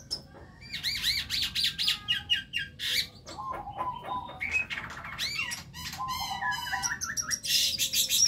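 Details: Young white-eyed Javan myna learning to sing, in full voice: a fast, varied babble of rising whistles, harsh squawks and repeated ringing notes, changing phrase every second or so.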